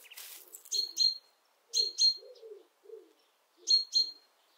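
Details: A pair of pet Japanese quail dust-bathing in warm weather give high, thin chirps in quick pairs about once a second, between soft low rustling or murmuring sounds.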